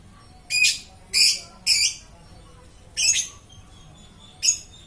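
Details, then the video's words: Continuously singing lovebird: a run of loud, piercing, scratchy chirps, three in quick succession, then two more after short pauses, each harsh and high-pitched. "BURUNG LOVE BIRD TIDAK BERHENTI BERKICAU"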